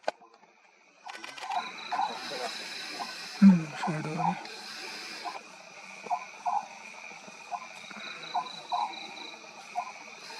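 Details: Oriental scops owl at night at Maguri Beel, Assam, India, in March 2021, giving short, low, croaky notes roughly once a second over a steady high buzz of night insects and a brief low thump.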